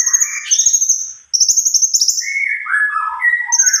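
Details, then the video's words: Cucak kombo in full, busy song of the long-roll style: a sustained high trill, a brief break, then another high rattling trill followed by descending and rising warbled notes. "burung cunkok gacor.rol pjang"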